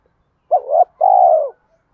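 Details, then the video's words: Spotted dove challenge coo: a short two-part note swelling upward, a brief gap, then a sustained hoarse coo that sags slightly at its end. The background is silent. "cu gay kich boi nhanh noi gù_thúc đấu gáy gọi"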